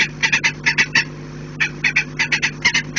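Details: Falcons defending their nest with growing intensity and desperation, 11 January 2018: harsh, rapid cacking notes in quick bursts of three to five, short pauses between runs, over a low steady hum.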